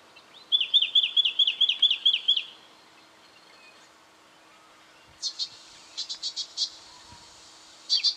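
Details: Brown treecreeper recorded in Victoria, Australia, in October 2011: a quick string of about nine sharp, high, evenly spaced notes, then quiet, followed by brief clusters of higher, buzzy chips.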